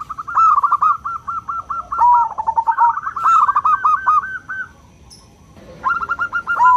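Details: Local zebra dove with a loud 'crystal' voice, used to get other doves singing: long rapid chains of short cooing notes with a lower dipping coo, a silent gap, then the quick run resumes.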